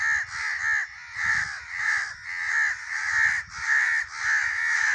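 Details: Crow cawing steadily, harsh nasal caws repeated at a fairly even rhythm of roughly two per second throughout.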